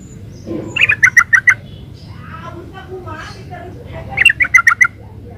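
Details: Two short phrases of quick, bubbly chirps from a yellow-vented bulbul in gacor ropel style, about four notes each, separated by a pause with faint murmuring and low background hum.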